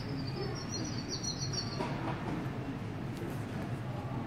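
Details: A European robin living in a garden centre in Germany, where the birds are given food, water and shelter, sings indoors on 1 March 2018: one thin, high, wavering warble for nearly two seconds over a steady low indoor hum and rumble.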